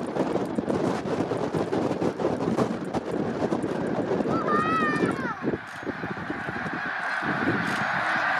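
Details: Large flock of snow geese during March 2019 migration at Middle Creek Wildlife Management Area, a dense, continuous clamor of overlapping honks with a few clearer, wavering rising-and-falling calls standing out midway.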